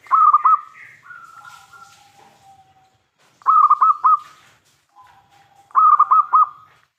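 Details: Local Indonesian zebra dove (perkutut lokal), a prolific, loud-voiced singer used as a lure to draw other doves to answer. Three phrases of quick, trilled coos followed by a long, soft, falling drawn-out coo, about every three seconds.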